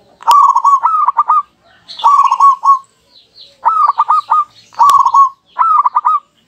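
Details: Local zebra doves duetting nonstop, answering each other, for use as a lure: loud, repeated coo phrases of quick staccato notes ending in a held tone, about one per second, with clean pauses between bursts.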